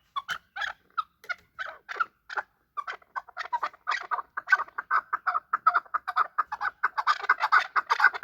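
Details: Chukar partridges fighting, a hunter bird: rapid series of harsh clucking notes, about two per second, running together and growing louder and denser toward the end.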